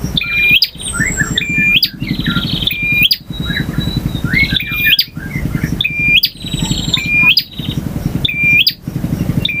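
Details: Male bar-winged prinia song in ngotot, ngalun, variasi and kristal styles: flat whistled notes ending in upward flicks, then buzzy rattling trills, repeated roughly every 1.3 seconds, with a steady low engine-like rumble underneath.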